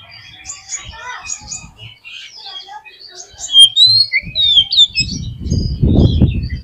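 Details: Oriental magpie-robin song, used as a lure to stir a pet bird into singing: scattered high chirps, short whistles and twittering notes for about four seconds, then a loud low rumbling noise covers the end.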